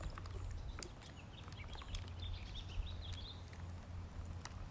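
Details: Ducklings being fed, giving a run of thin, high, arched peeps in quick overlapping succession, with scattered sharp clicks and a steady low rumble underneath.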